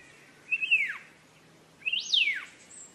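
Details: Green leafbird song used for training cage birds: two loud whistled phrases about 1.3 seconds apart, each climbing quickly, then sliding steeply down in a bright slurred sweep, over a quiet background.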